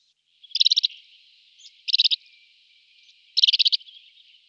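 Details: Tree pipit singing three bursts of rapid, buzzy, high-pitched notes a little over a second apart, with soft thin notes between the bursts and no other noise.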